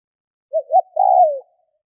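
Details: Spotted dove cooing: two short, soft, low hooting notes followed by a longer, smoother coo that slides downward at the end. The phrase lasts about one second against a silent background.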